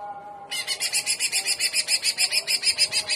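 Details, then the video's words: Greater green leafbird (cucak ijo) delivering trotolan in gaya udang style: a very regular rapid trill of harsh pulses, about five per second, held for nearly three seconds over a low steady tone. "TROTOLAN CUCAK IJO Paud JAHAT FULL JAMTROK GACOR GAYA UDANG"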